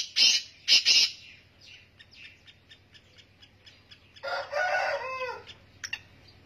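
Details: Black francolin, known locally as kala teetar or Sindhi teetar, calling: three harsh, grating bursts in the first second, a quiet gap with faint ticks, then a longer rasping, rattling phrase with a final sharp note.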